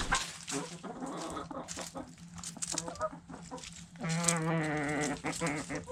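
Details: Backyard chickens eating food scraps: busy pecking taps and a few short clucks, then a sustained, strong, harmonic call with a slightly wavering pitch holding for nearly two seconds at the end.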